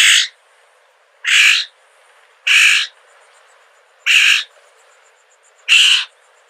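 A Florida Scrub-Jay gives five harsh, raspy, scratchy calls, each about a third of a second long, spaced one to one and a half seconds apart.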